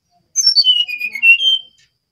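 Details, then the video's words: Brown-chested jungle flycatcher from Bali in full song, one pure whistled phrase that starts very high and drops in stepped notes, then lifts slightly at the end, in a quiet setting. "Sinkatan rimba dada coklat (SRDC) Bali Gacor"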